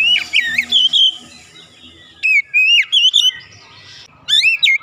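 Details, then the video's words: Caged Oriental magpie-robin at home, song used to coax a reluctant bird into singing: loud clear whistled phrases with rising and falling slurs, in short bursts separated by pauses, over a faint low background hum. "terapi cepat mengatasi Kacer rumahan susah bunyi lekas gacor"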